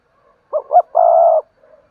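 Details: Spotted dove decoy call meant to prompt other doves to coo: two short rising coo notes followed by a single long, level, mellow croo in a quiet setting.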